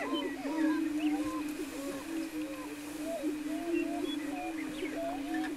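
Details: Greater prairie-chickens displaying on a lek outside Wray, Colorado, April 17, 2011: an unbroken low resonant drone with many short bent whoops and cackles layered over it from several birds.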